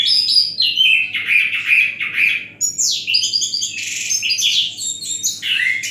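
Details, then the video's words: Orange-headed thrush singing in a relaxed manner, shown in the 'Menatap Langit' (gazing at the sky) performance style; a continuous, varied warble of high whistled and slurred phrases, some rising and some falling, with a faint low hum beneath. "Anis Kembang bunyi santai dengan gaya penampilan "MENATAP LANGIT"."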